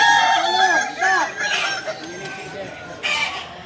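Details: Kukuak Balenggek singing chicken, a native breed of Solok, in crowing performance training: a run of arched, harmonic crow syllables in the first second and a half, fading into quieter, broken calling afterward.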